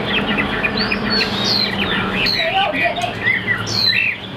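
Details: Chinese hwamei song heard through steady background noise: scattered whistled slurs and short warbled notes, fainter and partly masked by hiss and low hum.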